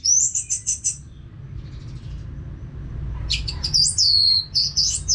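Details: Orange-headed thrush singing steadily, a sound meant for training other caged birds: a quick run of high whistled notes, a quieter gap with low hum, then a loud burst of sliding, warbled phrases.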